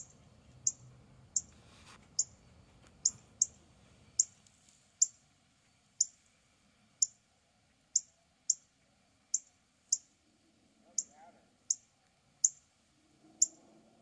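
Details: Male northern cardinal mating call, a long run of crisp, high, ticking chips spaced roughly every half to three-quarters of a second, nineteen or so notes, with faint low rustling early on and otherwise quiet surroundings.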